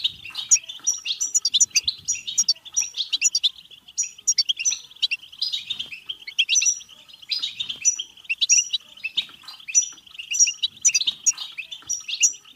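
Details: Long batbata song from a European goldfinch, aimed at stimulating singing and mating: nonstop rapid twittering and chattering, with bright whistled flourishes returning in loose phrases about every two seconds.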